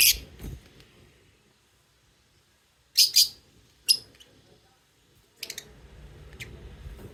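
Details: Lovebirds chirp in sharp, high, shrill bursts, including a rapid double squeak, then a looser run of thinner chirps near the end over a soft background hum.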